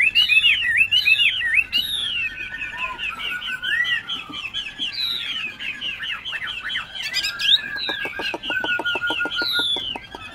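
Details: Tame caged Chinese hwamei in Binh Chanh, Ho Chi Minh City, singing loudly and continuously: rapid, varied whistled phrases with slurred up-and-down notes, fast trills and a run of sharp repeated clicks near the end.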